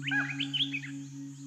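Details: Green and white budgerigars giving quick, warbling chirps that bend up and down, over a steady low electrical hum.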